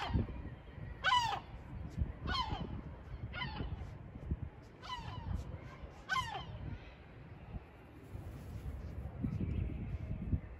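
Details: A gull at a nest on the porch of a building gives five harsh, rising-then-falling calls about one second apart, over a steady low rumble of background noise.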